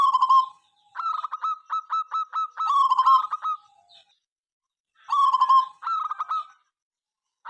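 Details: Local zebra dove in lively song, said to make rivals join in: alternating drawn falling coos and fast runs of short pulsed notes, phrases repeating after a brief silence.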